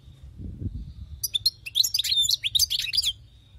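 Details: Wild-caught European goldfinch singing: a dense two-second burst of rapid, liquid, high twittering with buzzy and whistled notes, over a low steady hum.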